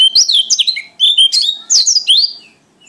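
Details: White-eye of Lombok/NTT, a strong singer in wild-type style, delivering loud rapid high twittering with descending whistled slurs in three quick bursts, then fading to quiet.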